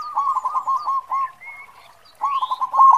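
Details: Zebra dove of local stock, perkutut lokal, voicing its big khong song for luring other doves: dense rolling coos, a brief pause with soft notes, then a loud rolling burst again; faint high whistles of other birds.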